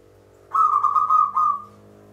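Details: Local zebra dove lure song, Mataram rhythm: a smooth, continuous run of warbling coos that ripple without clear breaks, then a final held note that fades out over a faint steady hum.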